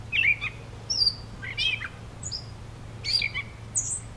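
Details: Gray Catbird, a mimic, in Beverly Swamp, Flamborough, Ontario, on the 2024 summer solstice, possibly a young bird. Jumbled, squeaky, scratchy high phrases, about one per second, with little variety and no clear mimicry, over a faint low hum.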